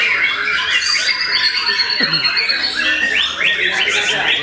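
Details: White-rumped shama in Bali, in its first trial at a contest arena after moulting, pours out a loud, rich run of fast whistles, chatters and harsh squawks, overlapping other birdsong, with faint human voices.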